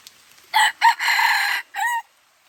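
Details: Red junglefowl F1 decoy bird from Aceh crowing actively in the rain: two short harsh opening notes, a long sustained rasping middle note, then a shorter falling final note, all within about one and a half seconds, with quiet background.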